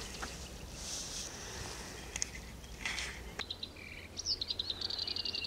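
Black-browed Reed Warbler giving a quick run of high, dry chattering notes near the end, after a few seconds of rustling and faint background noise.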